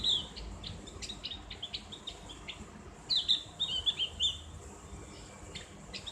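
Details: Opior jawa, also called cak gentong, giving ngriwik chirps as a therapy playback: scattered thin high tweets, then a loud quick cluster of sharp chirps near the middle, fading to sparse notes, with low background hiss.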